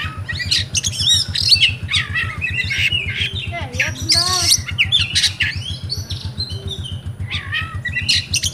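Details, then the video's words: Oriental magpie-robin (kacer), a kept bird from Comal, Pemalang, Central Java, Indonesia, singing in the rewo-rewo style: a dense run of varied whistles, rapid chirps, buzzy notes and sweeping slurs over a steady low rhythmic thumping. "REWO REWO Kacer"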